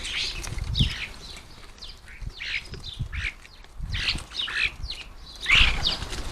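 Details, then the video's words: Several common starlings at a garden bird table, feeding: rough, buzzy screeches repeated about every second, mixed with low knocks and bumps from the birds landing and pecking. "Noisy, lively and always enjoyable to watch as the starlings hit the garden bird table for lunch"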